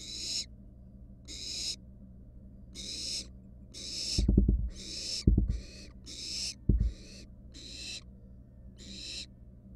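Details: Wild barn owl nestlings in a nest box, one standing on a mouse and resting: a series of broad, noisy hissing screeches about every second, with a few low thumps and scuffles mid-clip.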